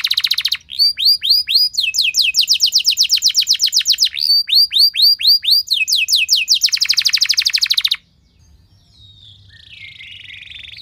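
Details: Long loud canary lure song to draw singing from other canaries: a fast buzzy trill followed by alternating runs of rapid slurred whistles and trills, then a fainter soft warble after a pause.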